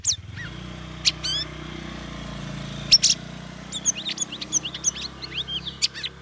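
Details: Sooty-headed bulbul, a caged bird trained for three weeks in ombyokan sessions, in ngeriwik ngeplong style: scattered sharp chips and short whistled twists, busier at the end, over a steady low hum.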